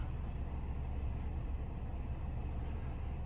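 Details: Heavy low rumble of passing traffic fills the whole stretch, a steady engine drone outdoors with no animal voices.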